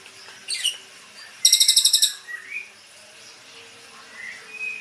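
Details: Captive young white-rumped shama, the eighth chick, just taken from its parents' breeding cage: a brief high squeak, then a rapid buzzy rattle of about eight notes, followed by a few soft thin whistles against a low steady hum.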